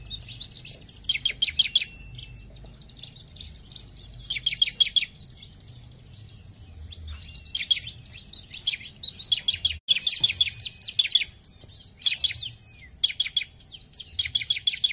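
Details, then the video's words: Long passage of vigorous 'gacor' song from a bar-winged prinia, intended to stimulate other birds: repeated bursts of fast, high, staccato chipping notes coming every one to two seconds, with one brief dropout midway. "Ciblek Gacor"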